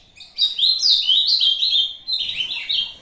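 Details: Short competition song of a Brazuca-style ultramarine grosbeak sparring with a recording, a bright run of warbled, slurred whistles rising and falling for nearly two seconds, then a second softer phrase.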